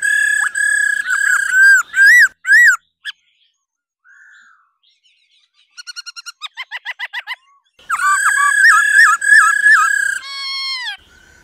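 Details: Female laughingthrush 'ro ro' calls meant to stir males to sing. A burst of rich, looping whistles is followed by near silence and a soft note. A rapid series of about ten short clicking pips leads into another long harmonic-laden whistled phrase.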